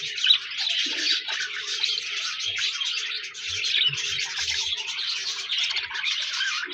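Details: Budgies chirp and warble nonstop, a dense high chatter of quick trilled notes with very little low sound beneath.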